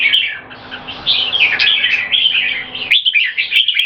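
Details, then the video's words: Red-whiskered bulbuls in an aggressive singing contest, each trying to dominate by singing as often as possible. Overlapping, fluty, chattering warbles run almost nonstop over a faint, low background hum. "JAMBUL - (Birds show aggression by Butir - Singing Frequency)"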